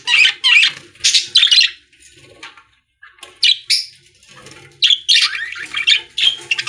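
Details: Budgerigars in a pet store singing, with rapid scratchy chirps and squawky warbled phrases in irregular bursts, brief quiet gaps between them and faint low background noise.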